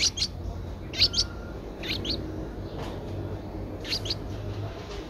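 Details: Ten-day-old Streak-eared Bulbul nestling, Ubon Ratchathani, Thailand, 12 April 2023, eyes open since day seven: sparse pairs of short, high, sharp chirps at roughly one-second intervals over a steady low background hum.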